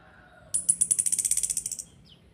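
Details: Kretekan of an orange-headed thrush from Salatiga, Indonesia, played to provoke other birds into singing: one dry, very high rattle of about fifteen rapid even clicks over roughly a second and a half, fading at the end.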